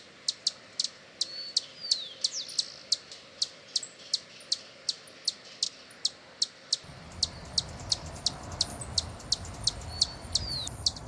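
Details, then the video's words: Hummingbird in Brazil chipping steadily, short high ticks about three per second, with thin sliding squeaks between; low rumbling noise rises in the second half. "som de beija flor-hummingbird sound"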